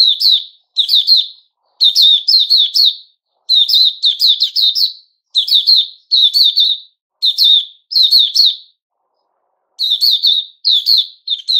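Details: Male sooty-headed bulbul recorded 10 July 2021, singing regular phrases of quick tumbling chirps about every second, then a longer pause before resuming.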